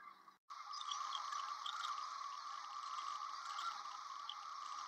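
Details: A large flock of migrating sandhill cranes (Antigone canadensis) gathers at sunset to roost on Platte River sandbars, Nebraska, March 2023: a dense, unbroken chorus of rolling, rattling bugles, many birds calling at once after a brief silence.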